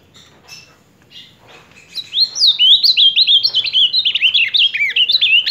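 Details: An ultramarine grosbeak, recorded July 2023, gives a few soft chirps, then sings a rich, fast warbling phrase of slurred whistled notes that rise and fall.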